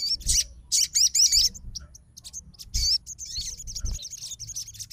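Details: Crimson sunbird responding to another sunbird's song: two loud bursts of fast high trilling, then a quieter stretch of thin wavering notes.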